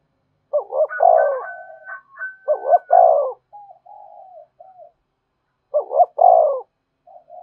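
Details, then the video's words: Spotted dove coo to lure wild doves, said to answer readily: loud, rough, pulsing coo phrases repeated about every three seconds, each trailing into softer coos, with a thin whistle-like note from another dove overlapping. "Tiếng chim cu gáy thúc bổi, bổi nghe rất nhạy gáy và về cội nhanh"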